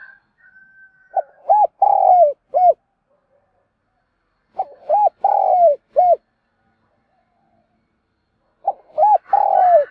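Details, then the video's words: Spotted dove decoy calling to lure other doves: a repeated cooing phrase of three or four low hollow notes, the longest one drawn out, given three times with long silent gaps between. "Tiếng Chim Cu Gáy Mồi Gáy Gọi"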